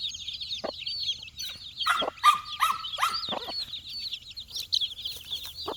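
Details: Four-day-old chicks searching for insects, giving a steady stream of high, thin peeps with short rising and falling chirps. Sharp scratching and pecking clicks are heard, and a brief flat tone comes in the middle.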